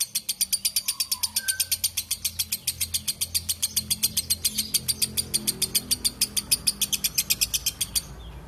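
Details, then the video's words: Lovebird giving a long ngekek chatter, a clear, unbroken run of harsh, high, buzzy notes repeated about five times a second for over eight seconds, with a few faint lower whistles from another bird behind it. "BURUNG LOVEBIRD NGEKEK PANJANG SUARA JERNIH"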